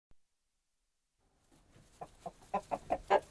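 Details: Flustered hens in a henhouse reacting to a disturbance: after a second and a half of silence, a quick run of sharp agitated clucks builds in loudness, spaced about a fifth of a second apart.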